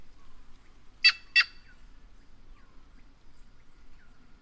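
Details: White-naped jay from Brazil's caatinga uttering a single pair of loud, harsh, rasping notes in quick succession, then quiet with faint distant bird notes.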